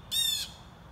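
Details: Young blue jay crying as it begs: one harsh, nasal squawk lasting under half a second, rich in overtones, over a soft background hum.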